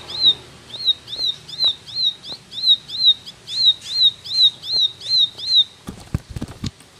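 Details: Ashy tailorbird in energetic 'tembakan' song: a series of high, upslurred-then-falling chirps at about three per second, which stops near the end and gives way to several loud knocking clicks.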